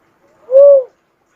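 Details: One low, even whistled coo from an uncal cuckoo-dove, lasting under half a second and bending softly up then down, with no other sounds.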